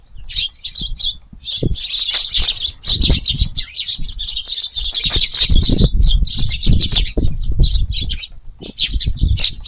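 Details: Several sparrows chattering during evening feeding in a garden, 18 July, in rising wind; near-continuous scratchy chirping over nearly ten seconds with short gaps, heavy low wind buffeting throughout.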